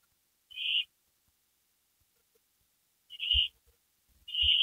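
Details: Owls on a porch just past midnight on May 3, 2012: a single hoarse hissing screech, a pause of over two seconds, then two more, with low thumping between them.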